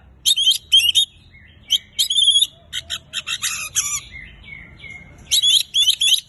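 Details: Gacor song of an Oriental magpie-robin, meant to make silent kacer start singing: dense scratchy chatter alternating with thin whistles and a few lower sliding notes, all in quick irregular bursts.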